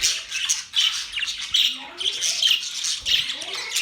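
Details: Budgerigars, kept as pet parrots, recorded on October 11, 2023; a busy flock chatter of high, scratchy chirps and squawks, overlapping warbles and short calls in uneven bursts roughly every half second.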